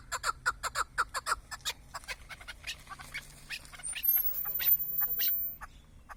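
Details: Chukar partridge kept for hunting gives a quick series of clucking notes that fades after a second and a half into weaker scattered calls, with a brief rushing noise later on.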